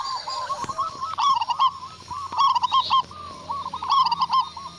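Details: Local zebra dove in Indonesia, a loud-voiced singer answering a lure: bursts of rapid, stuttering cooing notes with a rolling rhythm, several phrases overlapping, with a steady faint hiss behind.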